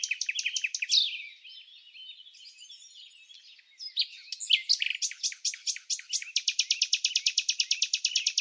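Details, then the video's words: In Samsonvale, Australia, red-backed fairy-wrens interact outside the breeding season: rapid sharp high notes, a quieter twittering stretch, then a loud, fast, strongly rhythmic series of staccato trilled notes to the end. "Wren singing sound"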